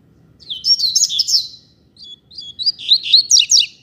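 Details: Coleiro seedeater from a pair out on the street, singing with strong vigour: two bright, fast warbled phrases of high twittering and slurred notes separated by a short pause.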